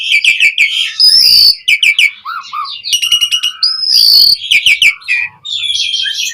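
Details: Asian pied starling, known locally as jalak suren, in a lively lure recording used to train caged starlings to sing: a dense run of varied high chirps, harsh rasps, clear whistles and buzzy trills.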